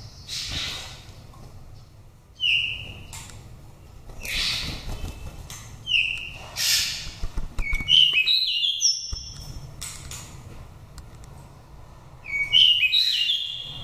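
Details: Oriental magpie-robin from a Daklak nest, five seasons old, with a wild-type voice, singing loud, clear whistled phrases with sharp downslurs and rich warbled notes, delivered in bursts every couple of seconds over faint background hiss.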